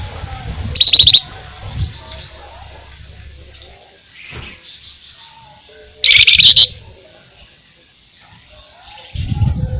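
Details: Flamboyan delivering loud rolling bursts, used as a lure for songbirds. Two short intense trills of rapid high notes are about five seconds apart, with faint chirps and low rumbling noise between them.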